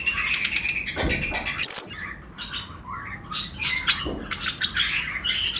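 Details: Lovebirds, including mutation colour forms, in breeding season, with pairs chirping in a flight colony cage alongside other birds; dense overlapping high chirps and squeaky notes in rapid irregular succession, with a brief clatter near the middle.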